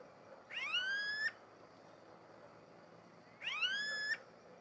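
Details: Smooth-billed ani recorded in Barão Geraldo, Campinas, São Paulo, Brazil, on 6 January 2015 at 18:51, giving two whining, upward-sliding calls, each under a second long and about three seconds apart, over a steady soft background hiss.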